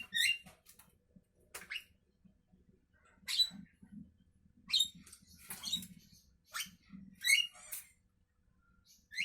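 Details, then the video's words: Morning song of a Javan myna: scratchy, buzzy bursts and harsh chattering notes in irregular clusters, with gaps of quiet and a faint low rumble beneath. "Burung jalak kebo pagi Hari"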